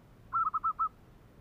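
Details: Kerok song of a Zebra dove: one short phrase of five bubbling, trilled coo notes in quick, even succession, mid-pitched and clear against a quiet background.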